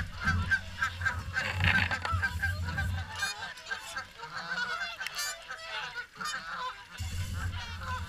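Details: At the morning swan feed at WWT Caerlaverock, a crowd of swans keeps up a steady jumble of honking calls, with a low rumble that fades out midway and then returns.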